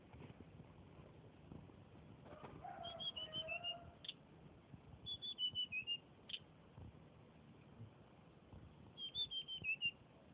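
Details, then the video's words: Flycatcher (tledekan) in training, Purworejo-style song. Three bright whistled phrases, each a quick run of descending notes about two seconds apart, separated by sharp click-like taps. Quiet background hum throughout. "suara burung tledekan piek calon gacor versi purworejo"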